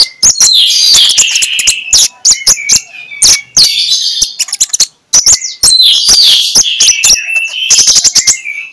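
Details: Magpie-robin in the morning singing loud 'ngeplong' song used to provoke other magpie-robins: long runs of rich whistles and sliding notes packed with hard clicks, one brief pause midway.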